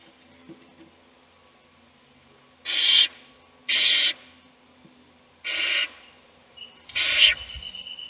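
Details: An adult owl feeds a single chick in a nest box while the other chicks sleep. After a quiet start come four breathy, hissing screeches, each under half a second, with a faint thin whistle near the end.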